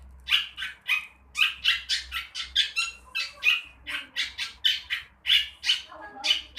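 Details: Long-tailed shrike, young and learning to vocalise, producing a steady series of harsh, squawky rasps, several per second in uneven clusters, some with a nasal buzzy tone, over a low background hum.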